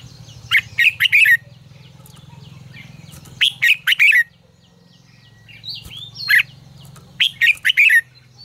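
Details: Red-whiskered bulbul singing in the fiery 'ché căng lửa' style, recorded as a training lure for other bulbuls: four bursts of loud, rich, warbled three-to-four-note phrases, sharp and bright, separated by quiet pauses with a low hum behind.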